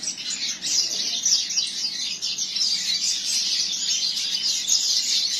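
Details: Captive double-collared seedeater from a breeder, a tournament-singing bird, delivering a continuous, rapid, high-pitched warble of twittering and buzzy notes without pause.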